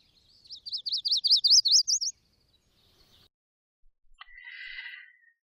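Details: Chestnut-sided Warbler in Vermont backyard woodland singing a quick run of high, sweet, slurred notes climbing slightly, 'please please please to meet you'. A short buzzy burst follows two seconds later.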